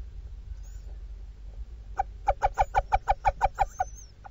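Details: Adult female little owl in a webcam nestbox in Dorset, UK, calling to her hungry chicks while feeding them: a quiet start, then about a dozen harsh, clucking notes in a fast, even run.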